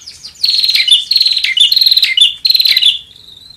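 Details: Bar-winged prinia call for luring birds: a chain of four buzzy, pulsed high trills with short lower notes between them, ending in a faint thin whistle.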